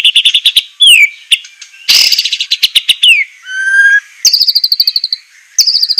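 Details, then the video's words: White-rumped shama training song for caged birds, 'semelet' style with harsh bursts: quick repeated chirps, slurred whistles falling and rising, a clean lower whistle, then buzzy rapid trills around high pitch. "masteran besetan murai suara semelet suara pedas tembakan kasar"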